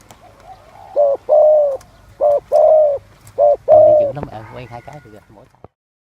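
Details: Spotted dove cooing: low, mellow hooted notes in a broken series, a short note and then a longer one, repeated three times, with faint rustling and a brief harsher sound near the end.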